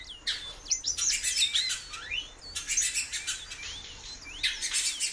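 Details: Female great-billed seed-finch kept in captivity calls repeatedly: clear upslurred and downslurred whistles, a few seconds apart, mixed with bursts of dry crackling chirps.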